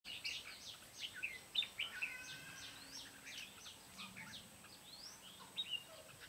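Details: Red-whiskered bulbuls recorded during bird trapping on 14 July 2016: a busy stream of short whistled, warbling notes from several birds overlapping, sliding up and down, with a steady high hiss behind.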